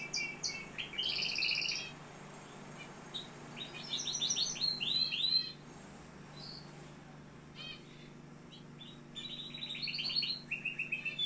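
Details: Canary in Algeria singing several separate phrases, including rolling pulsed trills, a cluster of sharp rising chips and fast stuttering rolls, with short quiet gaps between the bursts and a low hum underneath.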